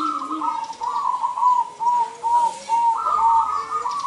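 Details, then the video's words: Local zebra dove singing vigorously from its perch, used as a lure to call males for trapping: a run of rapid, trilled coos near one pitch, each phrase slightly rising and falling, with a lower coo at the start. "perkutut lokal gacor !! perkutut gacor manggung memanggil jantan pikat ampuh"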